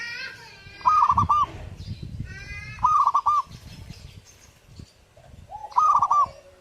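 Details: Zebra dove singing actively, giving three short rolling bursts of rapid clipped coos about two seconds apart. Harsher harmonic calls from other birds and low background rumble come between the phrases.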